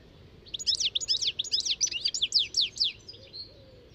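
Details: European goldfinch song: a fast, tinkling run of high twittering notes with quick downward-sweeping slurs, about three seconds long, clear over a faint low background hiss.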